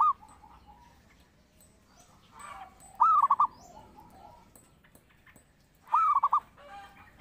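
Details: Vigorously singing zebra dove (perkutut), a master sound for luring and training; two or three phrases of quick staccato coos about three seconds apart, each a tight run of five notes, with faint soft background calls.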